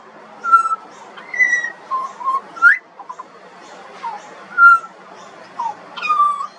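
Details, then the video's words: Pied butcherbird juvenile singing in Australia: sparse, mellow whistled notes, some level and some upslurred or downslurred, spaced roughly half a second to a second apart over a low steady background hum. "Butcherbird. Bird Singing. Bird Call and Sounds"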